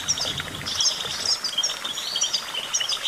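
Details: Goldfinch giving a steady stream of high tinkling chirps and short trilled notes with little pause.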